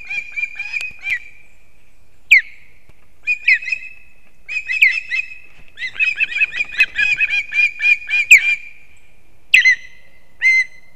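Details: Osprey nest in Kurzeme, Latvia, 6:40 am, 3 September 2024, with the male bringing two fish to the chicks. Bursts of rapid whistled chips come in irregular runs separated by pauses, with a few sharp single high notes.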